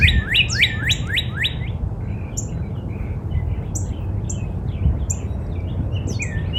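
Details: Backyard northern cardinal in spring opens with a fast series of loud rising whistled notes lasting under two seconds, after which only faint, distant notes and thin high chips continue over a steady low rumble.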